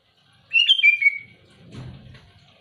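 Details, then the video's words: A sooty-headed bulbul, loud and active toward rivals, gives one bright warbled whistled phrase falling in pitch, followed by a soft low thump and rustle. "Suara burung kutilang gacor keras aktif menekan lawan"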